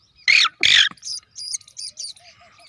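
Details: Black francolin chick aged three days: two loud, harsh, squawking calls close together, followed by a series of softer, high, thin chirps that fade out.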